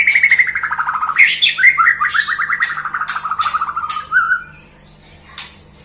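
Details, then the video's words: Melodious song of a white-rumped shama: a rapid, descending series of trilled whistles repeated about two per second, ending in a rising slur, then quiet with a few scratchy clicks against a low steady hum. "kicau burung murai batu merdu"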